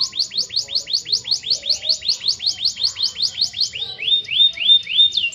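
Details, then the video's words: Canary singing a long song of evenly spaced, rapidly repeated high whistled notes, shifting near the end into slower, flatter rising whistles. "KICAUAN BURUNG KENARI, KENARI GACOR PANJANG"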